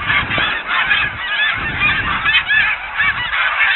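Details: Winter flock of snow geese feeding and resting on ponds at Blackwater National Wildlife Refuge; steady overlapping high honks and barking yelps, with individual calls rising and falling through a continuous chorus.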